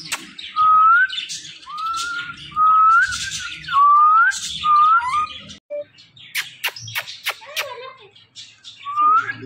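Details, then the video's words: Talking pet parrot whistling the same short rising note five times at steady intervals of about a second, followed by sharp clicks and a final whistle, with soft low background noise. "this Parrot talking are non stoppable"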